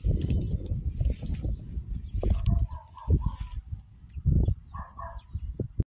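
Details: Grey crowned crane foraging in an open field: soft, low honking notes repeated in a short series, then a second brief pair of honks, over heavy low rumbling ground and handling noise.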